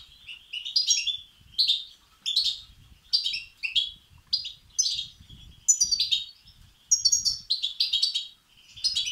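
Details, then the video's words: European goldfinch chick begging calls meant to excite males: steady series of high, buzzy twitter bursts about every second, each rising then falling, with faint low noise. "بتبتة وستستات فراخ الحسون الأقوى لتحفيز وتهييج الذكور"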